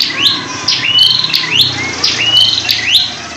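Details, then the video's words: Caged prinia bought from a bulk lot of wild-caught birds, singing actively: a loud high phrase of quick rising whistled sweeps and short buzzy notes, repeated several times in a few seconds. "Beli burung prenjak di ombyokan,dapat yg gacor bosku."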